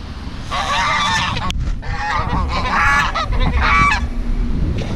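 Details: Wild geese near their pond in Portugal reacting to nearby skateboarders; loud harsh honks in overlapping bursts of about a second, over a steady low rumble of background noise.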